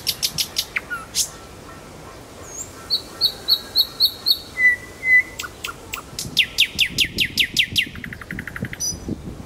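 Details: Kuzminsky forest park nightingale: a rapid burst of clicking strokes, a row of high pure notes, two level whistles, then a long fast rattling run of strokes.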